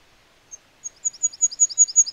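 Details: Free-living goldcrest beginning its song: a single thin high note, then a quickening, very high-pitched rhythmic see-da see-da phrase building in loudness, in quiet surroundings.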